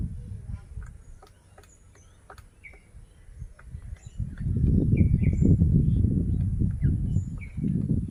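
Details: ['Grey woodpecker knocking while excavating a nest hole in a large branch of a siris tree during breeding season, its mate perched nearby, at Kazirgaon-Kheterpara village, Lohajong upazila, Munshiganj district. Sharp, dry, irregular taps stand out over low wind rumble and scattered chirps from other birds.']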